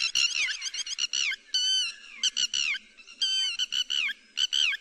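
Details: Lapwing calls played to lure birds into nets: clusters of quick, sharp notes alternating with longer, drawn-out nasal cries that bend downward at the end.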